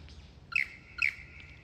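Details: Lyrebird learning to sing and dance before the mating season; two loud, sharp notes half a second apart, each a bright downward-sweeping chirp with a ringing tone trailing after it.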